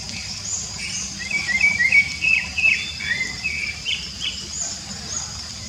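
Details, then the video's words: Wild rufous-bellied thrush singing free in nature: a string of short, slurred whistled phrases, mid-high and varied, delivered in a quick, uneven sequence over a steady high hiss of background insects. "Sabiá Laranjeira Cantando Livre nanatureza!!!"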